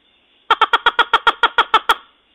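A Red-legged Crake gives a quick run of about eleven loud, nasal, harsh notes, evenly spaced and slightly accelerating, lasting under two seconds against a quiet background.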